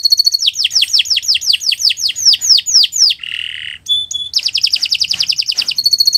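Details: Canary masteran song for training other birds: repeated rich downslurred notes, a short harsh buzzy phrase, a clear whistled note, then a fast even trill and a high repeated tone.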